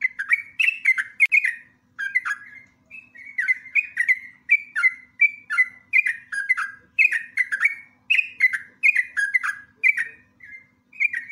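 Yellow-vented bulbul giving bubbly, liquid whistled phrases of a few quick notes, repeated almost without pause over a quiet background.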